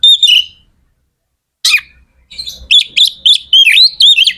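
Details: Vigorous song of an Oriental magpie-robin (kacer), played to stir other kacer to sing; one whistled note, a pause, a sharp burst, then a quick series of clear rising and falling whistled notes repeated several times a second.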